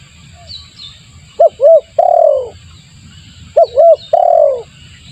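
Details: Spotted dove lure call used to draw in wild doves: two full phrases about two seconds apart, each with two short low hooting notes followed by a long, drawn-out falling coo; faint high chirps from small birds and a low background rumble.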